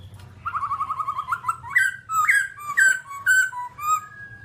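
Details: A babbler, described as all black, gives a rapid stuttering series of short whistled notes, then several slurred, louder rising and falling whistles, with a soft low hum underneath.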